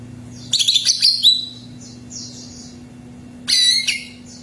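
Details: Greater green leafbird song played to prompt another bird to sing: two bursts of bright, high, rapid chirping phrases, with fainter high twitters between them over a steady low hum.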